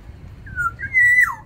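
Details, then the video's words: Aviary-kept black-naped oriole of Sumbawa origin, singing briskly: a soft descending whistle, a pause, then a strong sustained flute-like note that bends sharply down at the close, over a low hum. "Keodang emas sumbawa di dalam aviary gacor"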